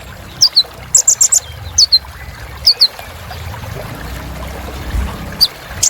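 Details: Sunbird filler song used to fire up other birds: sparse pairs of thin high downslurred whistles and one short chip burst, then near-quiet with soft trickling background noise.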